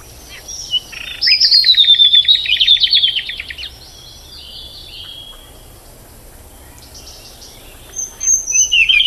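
A tailorbird gives a loud, high series of rapid repeated chips for about two seconds, then a shorter burst of sharp notes after a pause.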